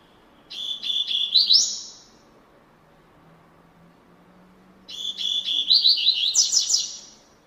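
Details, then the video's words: Coleiro, the rusty-collared seedeater of Brazil, singing in classic style: two high phrases about four seconds apart, each starting with several rapid clipped notes and ending in a rising buzzy run, with a faint low hum behind. "coleiro cantando #coleiro canto clássico"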